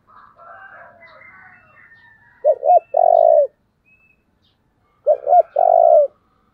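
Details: Spotted dove decoy for provoking wild birds repeats its low phrase twice, about two and a half seconds apart, each a clipped double hoot plus long coo, after soft twittering of other birds.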